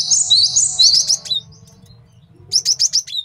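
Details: High, fast chattering phrase from a male cinereous tit kept as master song for luring and training, then a pause and a run of about five quick, sharp descending chips; low background hum.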